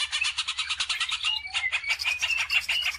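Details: Greater green leafbird (Chloropsis sonnerati), lure song to prompt other birds to sing: a rapid, unbroken stream of high, chattering and whistled notes, changing phrase every second or so, over a faint low hum.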